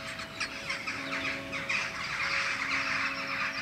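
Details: Flock of jackdaws perched in a tree in front of the setting full moon, giving a dense chatter of short, harsh overlapping calls with no clear rhythm, over a steady low electrical hum.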